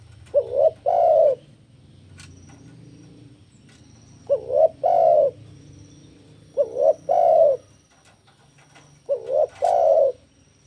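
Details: Spotted dove in breeding condition challenging a rival. Four evenly paced phrases about every two and a half seconds, each a short wobbling coo then a longer rounded coo. A faint low hum runs throughout.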